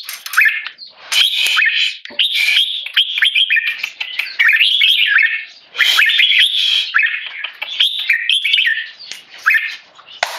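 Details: Red-whiskered bulbul, a tame Singapore-raised male, calling keke under human disturbance: bursts of raspy chattering notes in clusters of one to three seconds, separated by short quieter gaps.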